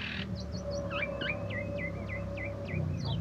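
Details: Asian pied starling, a first-place winner at a 17 August singing contest, delivering a series of clear, downward-sweeping whistled notes at a steady pace over a constant low hum.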